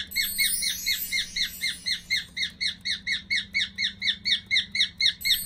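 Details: Cockatiel kept as a pet, probably male, chirping its marching tune as it walks: an unbroken series of sharp, down-slurred notes roughly twice a second, with a faint high whistle near the start.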